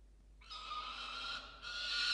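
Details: Male Peregrine falcon at a nest-box camera at 6:09 am on 27 December 2022, screaming while guarding a musk lorikeet he has brought in: after a brief quiet start, one long, harsh, harmonic-rich scream with a short dip midway.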